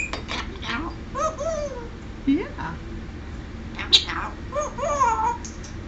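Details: Pet parrot, 20 months old and talking for a few months, speaks a short phrase ending in an exclamation as it comes out of its cage for the day; speech-like syllables with rising and falling tones, faint clatter.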